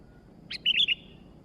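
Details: Sooty-headed bulbul in lively song: a sharp opening note, then a quick, rolling three-note bubbly whistle that dips and rises over quiet background hiss.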